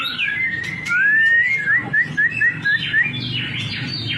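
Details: White-rumped shama singing: a long rising whistle, then a quick series of short, bright, upslurred whistled notes repeated about three times a second, over busy background noise and other sounds.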